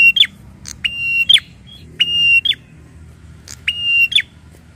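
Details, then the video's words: Angry, agitated prinia calling three times: each call a brief upward start, a level buzzing tone, then an abrupt descending flick, evenly spaced against faint background hum. "BIKIN PRENJAK EMOSI DAN NGAMUK !!"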